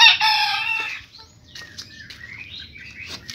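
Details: Pelung chicken, a purebred rooster, ending a crow: a loud, strained harmonic note that holds steady for under a second and then fades, followed by faint scraping and rustling sounds.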